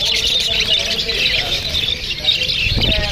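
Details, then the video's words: Australian parrots chirping to each other in a dense, continuous chatter of high, scratchy tweets and squawks overlapping without pause, with some low rumble beneath. "See the way Australian parrots speak | They are chirping eachother"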